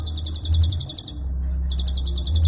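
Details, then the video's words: Short prinia klik burst from a songbird training recording: rapid sharp high clicks, a pause of about half a second, then clicking resumes, low hum in the background. "Prenjak Klik Super Edan Tembakan Rapat & Panjang"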